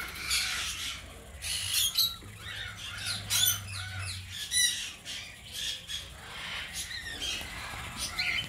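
Young cockatiels give harsh, raspy squawks in quick, overlapping bursts.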